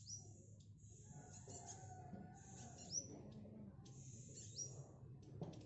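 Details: Black sunbird, a tame speckled bird practising song, delivers long high buzzy trills with sharp rising whistle accents around the third and fifth seconds, and a steady low hum behind.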